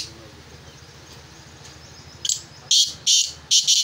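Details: Black francolin being prepared by its keeper for calling gives four harsh, grating bursts in quick succession after a stretch of low background hum.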